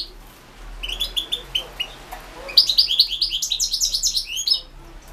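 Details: Competition singing by a European goldfinch, 2016 World Championship in Goldfinch Song. A row of evenly spaced chirps leads into a fast, continuous, jangling twitter lasting about two seconds.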